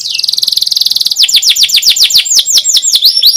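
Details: Canary song for training young canaries to sing: a fast high buzzy trill of rapid even notes, then a run of sweeping downslurred whistles repeated about three times a second.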